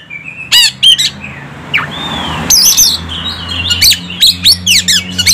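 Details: Oriental magpie-robin, stirred up into singing, gives loud sharp downslurred notes and a drawn whistle, then a run of rapid ringing notes toward the end, over a steady low engine-like hum.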